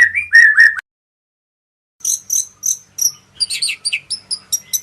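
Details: Murai from Medan, a white-rumped shama, gives a brief run of clear whistles, falls silent for over a second, then delivers sharp, high chipping notes repeated in quick bursts.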